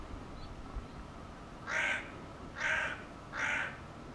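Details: Hooded crow calling three harsh, raspy caws spaced under a second apart, after a quiet start with faint background hiss.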